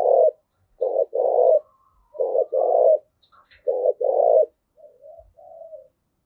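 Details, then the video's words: Spotted dove giving a series of throaty coos, used for decoy training and provoking males: three paired phrases of a short note and a drawn-out hoarse coo, followed by softer trailing coos, otherwise silent. "tiếng cu gáy thúc gù gáy gọi tập bổi kích trống hiệu quả"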